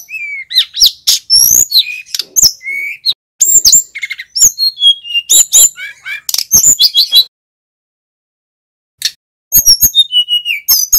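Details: A male mountain flycatcher sings long energetic phrases of chirps, twitters and sliding whistles, then pauses for about two seconds before resuming; used to provoke and train other flycatchers.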